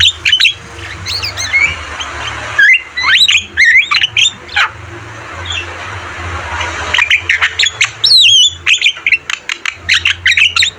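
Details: Javan myna singing vigorously on a bird-training recording: bursts of harsh squawks mixed with rising and falling whistles and fast chatter, a quieter gap midway, and a steady low hum in the background.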